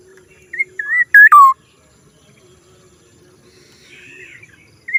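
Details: Strange-sounding call of a black-naped oriole: two short whistled slurs lead into a loud, rasping note that falls to a lower whistle, then a quiet pause, a soft warble and one final whistled note.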